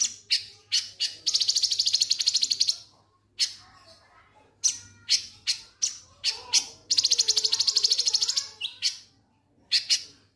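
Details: Konin lovebird ngek ngek song for provoking singing: loud clipped chirps between two long dense buzzing rattles, each lasting over a second, with short pauses between bursts.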